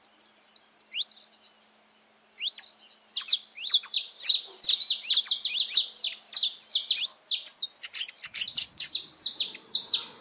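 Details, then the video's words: Saffron finches living free in nature: a few scattered thin chirps, then a long, steady outburst of dense, high, overlapping chirping from many birds. "festa dos canário da terra livre na natureza"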